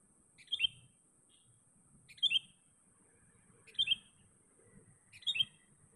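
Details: A sooty-headed bulbul (kutilang) calling for a rival, used as a lure call: four short, bright bubbly phrases, one every second and a half, over a steady high electronic whine and a low rumble.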